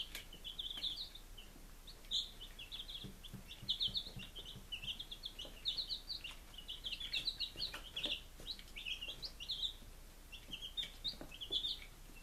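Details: Day-five chicks in Lunenburg, Massachusetts, July 2017, chorus of high peeps running almost without pause, clustered bursts of short cheeps over faint scratching and tapping sounds.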